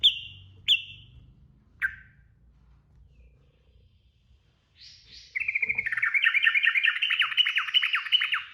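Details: Sooty-headed bulbul (trucukan) delivering 'ropel' style song, used as training audio for cage birds. A few sharp separate chips open it, then a fast, rattling run of quick notes after a pause.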